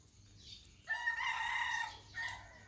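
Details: Rooster crowing on a cold, foggy morning in Ko Kha, Lampang, Thailand: one drawn-out harmonic crow lasting about a second, then the start of a second crow, over quiet rural background.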